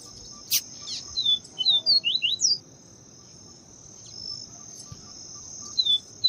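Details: Double-collared seedeater (Sporophila nigricollis), from a recording of viviti-type song and female calls used to excite males, gives short, high whistled notes, some slurred up and some down, in a quick burst over a constant shrill insect drone.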